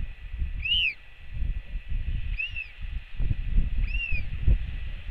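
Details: Returning mother greeted by her royal albatross chick's skycall on a New Zealand nest cam: three arched cries about 1.6 seconds apart, the first strongest, over buffeting wind.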